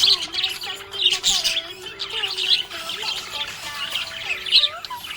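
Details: Budgie chirping said to sound happy, a busy stream of high scratchy chirps and warbles over a soft background tune with sustained notes.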